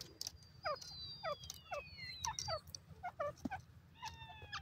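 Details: White francolin uttering evenly spaced downward-sweeping notes, about two per second, as long thin whistles from other birds glide down overhead; faint low hum beneath.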